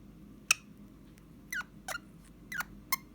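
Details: Pet Eastern Rosella whistling indoors on 29 January 2021, also reacting when "bless you" is said after a sneeze: five short, sharp notes over about three seconds, some with a brief falling whistled tone, in a quiet room.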